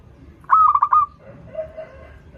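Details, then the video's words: A local zebra dove, used to lure birds learning to sing, gives a single rolling phrase of rapid pulsed coos, then a softer low note that follows it. "PERKUTUT LOKAL GACOR Suara Merdu || pancingan paling disuka perkutut yg belajar manggung"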